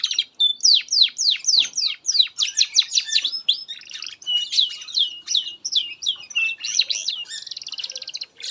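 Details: Canary singing a long master song for training young birds: rapid repeated swooping whistled notes, about three per second, shifting into varied twittering phrases and ending with a buzzy rattled trill.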